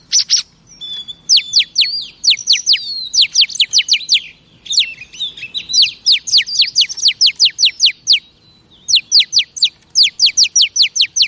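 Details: Female oriental magpie-robin sound used to stir up male birds: rapid repeated high downslurred chips in fast bursts, with short pauses and a few sliding whistles between runs.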